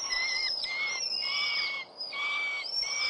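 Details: Young northern goshawks at a nest in the New Forest on 11 June 2012, late in the season, four young having left. Loud, drawn-out whining wails run almost continuously, each held level and high, with a brief pause near the middle.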